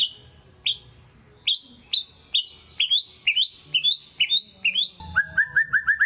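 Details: Lure recording of a white-rumped shama singing hard ('gacor'), meant to rouse lazy shamas: a run of bright upslurred whistles repeated about twice a second, ending in a quicker, lower series of clipped rising notes.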